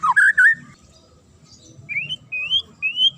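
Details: Magpie-robin giving a sharp song meant to provoke other birds into answering and getting agitated: bright rising whistled notes at the start, then a pause and three upslurred whistles near the end.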